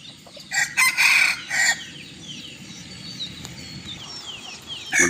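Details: Bantam chicken crowing in the evening on a hot day in Bueng Kan, Thailand: a short hoarse crow in several bursts, followed by thin chirping of small birds in the background.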